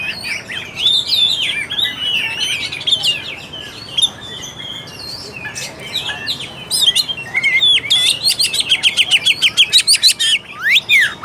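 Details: Oriental magpie-robin song used as a lure to prompt a lazy, unaggressive bird to sing: dense high warbling and whistled slurs, then a quick run of sharp repeated notes near the end, with faint low background hum.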